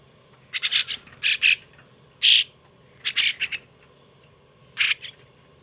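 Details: Hand-reared young starling kept as a pet gives rasping, buzzy squawks in irregular bursts, some doubled or tripled, roughly once a second with gaps.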